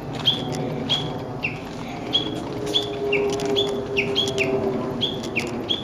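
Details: In the woods of an ecology park on 06/12, a Japanese bush warbler repeats short two-part whistles, a high note then a lower slurred one, at irregular intervals, with a faint low drone behind.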